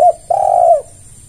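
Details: End of a short spotted dove note, then one long, smooth, low coo that falls slightly at its end. Used as a lure for other doves.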